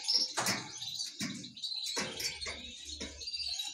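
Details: A talking myna, said to speak Pashto, from a bird market in Pakistan, gives harsh, raspy, speech-like bursts about every half second to second, some with throaty low tones, over a faint hiss.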